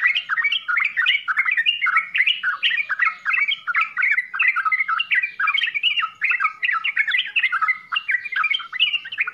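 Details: Continuous 'full isian' song from a sooty-headed bulbul: fast, dense chatter of bright up-and-down notes running on without a break, with slight swells in loudness.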